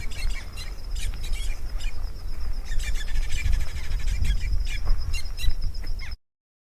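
Red-billed buffalo weavers give bursts of harsh, rapid chattering and squeaky notes over a steady high buzzing tone, with heavy wind rumble underneath.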